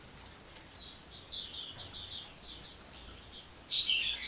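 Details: A hummingbird chatters continuously in high-pitched, squeaky twitters. The notes form busy, uneven strings, with a slightly lower, descending trill near the end, all against a soft steady hiss.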